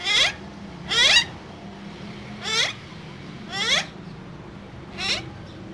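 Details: Caged pair of green parrots, described as talking, give five rough calls that fall in pitch, about one per second, over a quiet room hum.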